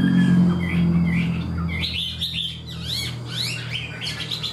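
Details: A wild-caught Chinese hwamei sings a full repertoire like a tame bird: a quick run of loud, varied whistled phrases that slur up and down, over a steady low mechanical hum.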